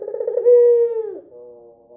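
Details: White red-eyed Barbary dove calling actively, used as a lure to make other doves call: a short stuttering coo that swells into a steady low tone, then dips and trails off into a softer hum.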